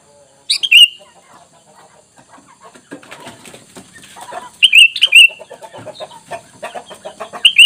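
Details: Sooty-headed bulbul lure sound meant to draw replies from wild bulbuls: short sharp whistled phrases at the start and again near the end, with clattering, rustling noises between them.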